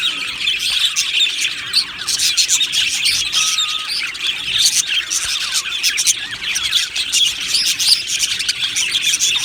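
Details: Happy Australian budgies chatter together in a colony aviary. Rapid, overlapping chirps and scratchy warbles continue throughout, with a brief clear whistled note early on and louder bursts of squeaks scattered across the recording.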